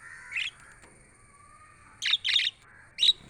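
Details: Pet budgies chirping for lonely birds: loud, bright, buzzy chirps, one early, then a quick pair and a final single note, against a quiet backdrop with a faint low tone.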